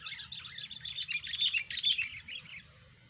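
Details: Gacor song of a kutilang, the sooty-headed bulbul: rapid, tumbling high chirps and twitters packed closely together, building in loudness and then tailing off, over soft low background noise.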